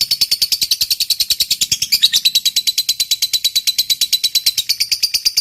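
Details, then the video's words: Lovebird ngekek trill meant to set off other lovebirds: very fast, dense high chattering notes, around six to seven per second, forming a buzzing, rattling run with faint low background hum. "Suara Burung Lovebird Ngekek Panjang"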